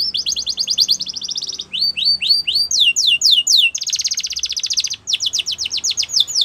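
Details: Yellow canary in the wild delivering a continuous song of changing trills: fast repeated chips, slower downslurred whistles, a dense buzzy rattle, then another quick run of notes.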